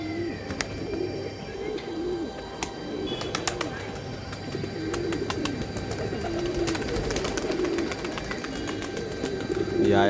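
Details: Pigeons cooing in low, soft, wavering hoots that run almost without a break through the recording, with many sharp clicks and taps over them and a faint steady hum beneath.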